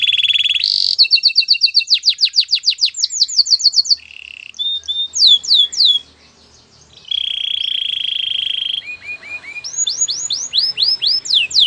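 Canary singing in fast repeated tours: sweeping chirpy trills, a long steady rolling buzz, then bright rising whistled phrases, several notes per second.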